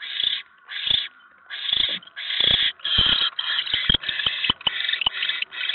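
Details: Barn owl at a nest during a mouse delivery on a November evening, 7:50 PM, 2017: harsh, broadband hissing screeches repeated rapidly, about one and a half per second, with a few sharp clicks and knocks between bursts.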